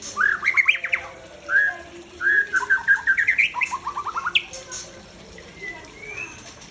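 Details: Captive Aceh-type white-rumped shama singing varied phrases: rising whistles, a quick run of descending chips and a sharp high note, before a short spoken voice.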